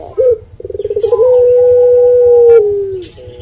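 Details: One coo phrase from a Barbary dove (puter pelung): a short crisp note, a quickening pulsed stutter, then a long smooth held tone that falls away near the finish.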